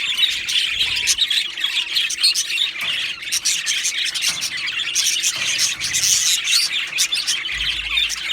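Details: Two male Australian budgerigars chirping nonstop: harsh squawks mixed with quick high twitters, forming an even, busy chatter throughout.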